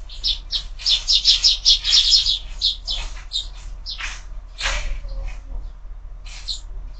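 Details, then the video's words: Morning sparrows feeding at a feeder fixed to a window, fed all year round; a dense run of rapid, sharp chirps for the first three seconds, then scattered single chirps and a louder squawk-like note, with faint low background rumble. "Воробьи в кормушке - утро"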